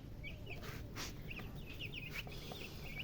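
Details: Chicken (murgi hen) making short high chirps in a rapid, uneven series, with a few broad clicks or knocks and a steady low rumble behind.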